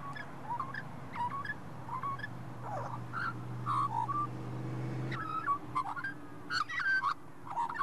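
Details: Wild Australian magpie, also called pied currawong, in a shopping centre parking lot, seemingly chatting with a person: varied warbling, yodelling notes in repeated phrases, with a steady low engine hum.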